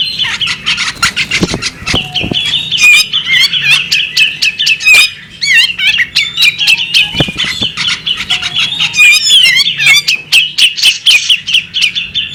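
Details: Sustained alluring calls of a female bearded magpie robin, over twelve seconds of rapid high chattering, whistled up-and-down slurs and scratchy clicks, with occasional low knocks in the background.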